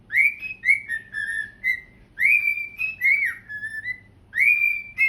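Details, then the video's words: Indoors in September, pet cockatiels singing while dancing on a couch; whistled phrases each open with an upward sweep, followed by level and dipping notes, the pattern returning about every two seconds. "My Birds Singing Nonstop!"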